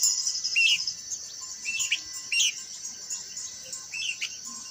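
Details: Blue-winged minla uttering brief, clear rising chirps, about four in a few seconds, over a persistent high insect whine.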